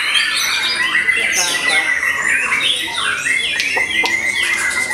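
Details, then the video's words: Fierce song of a white-rumped shama after its moult: steady clear whistled tones held under a flurry of buzzy, rapid notes, with a few sharp clicks near the end. "Murai Batu VOKALIS Pasca Mabung Semakin "WOW""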